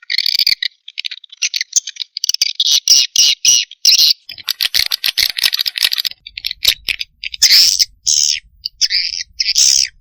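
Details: Lure recording of swiftlet chicks calling: loud, harsh, buzzy twittering in rapid pulsed bursts, nearly continuous, with brief gaps and slightly longer raspy notes near the end.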